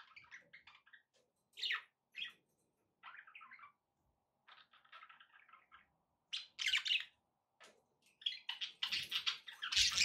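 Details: Several pet budgies chattering over background noise: scattered scratchy chirps and warbled phrases with gaps between them, growing into louder, denser squeaky tweeting toward the end.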